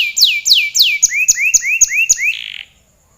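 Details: Canary in energetic long song: three loud falling whistles, then five quick rising notes with sharp clicks, closing in a short buzzy trill before silence.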